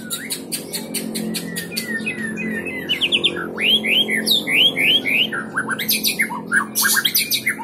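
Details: White-rumped shama singing a varied phrase of loud, rich whistled slurs, rising and falling notes in quick series, mixed with sharp high clicks and buzzy rattles at the start and end.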